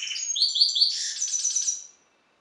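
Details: Hybrid European goldfinch sired by a Carduelis carduelis balcanica bird, captive-bred, singing a rapid twittering phrase of high, slurred notes and buzzy trills lasting about two seconds before falling silent.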